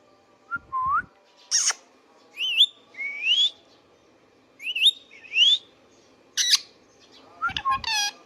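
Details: Pet Indian ringneck parakeet giving several clear rising whistles, each sliding upward, mixed with short sharp squawks and a low click near the start; a quiet room hum underneath.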